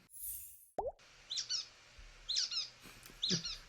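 Brown-headed Nuthatch giving three squeaky, nasal double notes about a second apart, like a squeezed rubber duck, after a short thump at the start.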